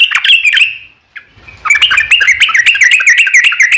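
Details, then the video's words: Vigorous Yellow-vented Bulbul song in the long 'ropel' style, used as a lure: a bubbly burst, a second's pause with a faint note, then a fast, continuous, jumbled chatter of bright notes. "SUARA trucukan gacor ROPEL PANJANG pancingan trucukan agar bunyi JADIKAN burung trucuk gacor NYAUT"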